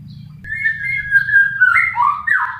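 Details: White-rumped shama song: a sustained whistled note that slides slightly, then quicker warbled phrases with downward and upward slurs, over a steady low hum.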